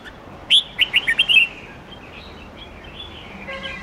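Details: Red-whiskered bulbul singing a forest-standard song of many voices with 8-9-10 note phrases, used to teach young birds: one quick phrase of about six bright, warbled whistled notes, then only faint, scattered chirps.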